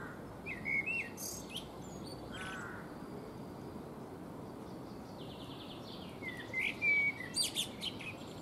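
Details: Eurasian blackbird perched in a fruit tree, preening between songs: fluty whistled phrases, each ending in a higher scratchy twitter, with gaps of a few seconds between them and faint background noise.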